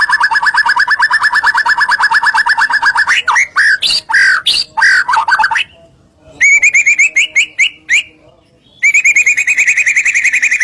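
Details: White-rumped shama song, used to provoke other shamas into singing: a fast buzzy trill, harsh squawky notes, then bright rapid trills broken by short pauses.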